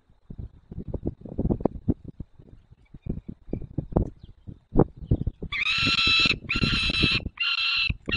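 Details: White stork calling its adopted young at a nest with four young, three of them adopted, Dolina Baryczy, Poland, 9 June 2020, 10:54; low irregular knocking and rumble, then three loud grating harmonic calls in the final seconds.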